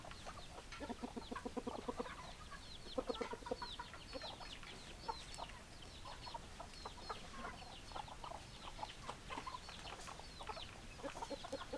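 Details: A flock of hens clucking: a dense chorus of short, overlapping, repeated clucks and squawky notes, with louder bursts around three seconds and a steady low background hum.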